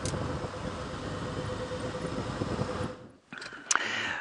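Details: A vehicle engine idles steadily, then cuts out near the end, followed by a few sharp mechanical clicks and knocks; no animal calls.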